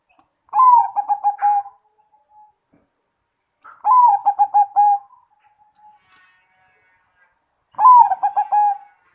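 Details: Big-voiced zebra dove singing in the 'suara gede' style. Three phrases come roughly every three and a half seconds, each a sliding lead note followed by a rhythmic burst of short coos and a trailing tone, clean and close.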